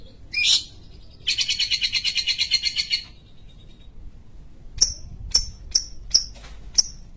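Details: Long-tailed shrike (cendet) from Sumatra: a sharp rising whistle, then a rapid train of raspy buzzing pulses. Clipped, high, sharply downslurred chip notes follow at roughly half-second intervals.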